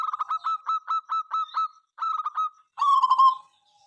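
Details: Local zebra dove in lively song that sets rivals calling; rapid evenly spaced staccato coos in two runs, finishing with a longer drawn-out cooing note.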